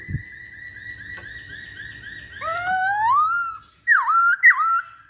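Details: Masked laughingthrush, vocal and lively: a soft, wavering whistle, then a loud upward-sweeping note, and two sharp, looping whistles dipping and recovering. A low hum and a thump begin the sequence.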